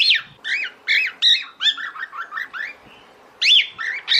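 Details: Female cockatiel calling its mate to breed: rapid chain of short up-and-down whistled notes, slowing and softening, then a brief lull before louder calls resume.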